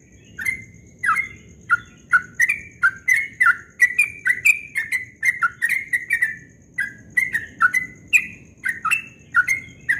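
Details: A yellow-vented bulbul sings its rapid ropel-style dawn song, a long, even stream of melodious, chuckling whistled notes rising and falling, with a faint steady high whine.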